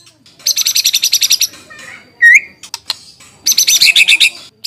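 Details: White-rumped shama lure song to provoke answering song, used as master material: two bursts of rapid, harsh, high chattering notes around a single sharp upslurred whistle and a few faint clicks, with quiet gaps between.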